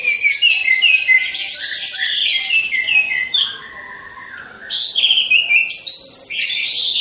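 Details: Orange-headed thrushes kept in cages hung in a line, singing as a lure for contest-bird training: a rich stream of rapid chirps and trills, then a quieter stretch before another loud burst of warbling.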